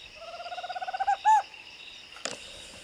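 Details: Tropical screech owl (Megascops choliba) at night by the Paraná River gives a quick, purring trill of low hoots that grows louder, then ends in two stronger accented notes; a brief click follows.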